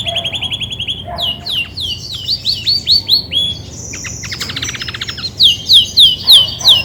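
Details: Loud song from a grey-and-white female Belgian canary, singing as when ready to brood: a fast trill, a string of rising-falling whistled notes, a buzzy rattle, then bright repeated slurs about three per second.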